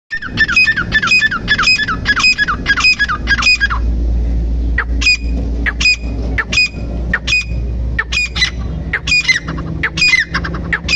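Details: Grey francolin calling in a fast run of harsh, ringing, repeated notes for about four seconds, then further spaced bursts of the same notes, over a steady low engine rumble.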